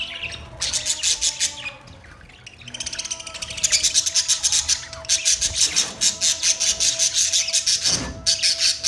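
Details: Budgerigars giving fast, rhythmic scratchy chirps in long runs, repeated about three times per second, over a faint steady hum.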